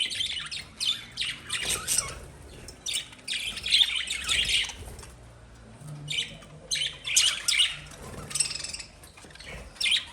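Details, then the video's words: Lovebirds chirping in uneven bursts: clusters of sharp, high squeaky notes separated by short lulls, some notes twisting upward. "Love Birds Sound Relaxation"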